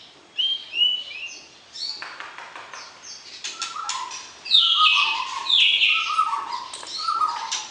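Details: White-rumped shama in a cage, singing while being matched with a mate before breeding: short whistled notes and dry clicks build into a loud, rich phrase with lower warbling notes beneath.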